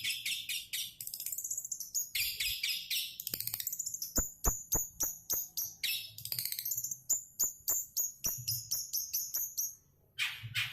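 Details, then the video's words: Long-tailed shrike song: a busy run of high, rapid chirps and thin whistled notes with sharp clicking ticks, delivered in quick bursts of varied phrases, ending in a short pause and a harsh rasp. "suara burung cendet"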